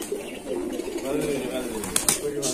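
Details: Many pigeons on a Bangladesh farm of 120 pairs, July 2025: deep, wavering coos rise and fall in short bursts beneath a man's speech, with a couple of sharp knocks near the end.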